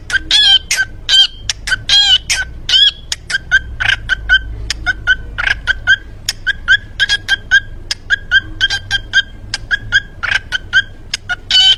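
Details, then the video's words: A parrot at a farm near Gujrat chatters in rapid bursts of harsh, clipped syllables and whistled notes, repeating word-like phrases such as "cookie" over and over, amid laughter. "Cute Parrot Singing and dancing"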